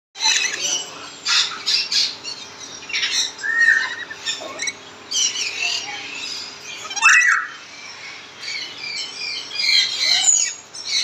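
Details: A pair of lorikeets give harsh, rasping screeches and chattering squawks in irregular bursts, with a steady low hum underneath.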